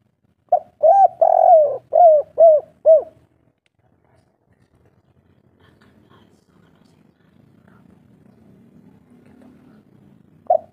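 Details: Local spotted dove in the three-note kuk 3 style: a run of low, soft cooing notes in quick succession during the first three seconds, then near silence with faint background rumble and one last coo.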